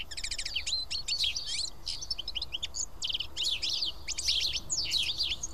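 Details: Feeding together at Karyotissa in Greece, a group of house sparrows fills the air with fast, bright chirps and short tweets that tumble over one another without pause.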